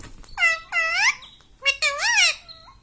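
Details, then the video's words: Pet parrot at home saying "mummy": two clear two-syllable, arched, voice-like utterances, each rising then falling in pitch, separated by a short pause, in a quiet indoor room. "mummy bolne wala tota - मम्मी बोलने वाला तोता"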